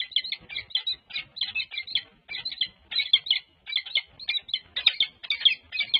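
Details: Peregrine falcon pair courting at their UC Berkeley nest site, California, on 14 February 2024, touching bills. Harsh, scratchy call notes come in clusters of two or three, repeated steadily about every half second.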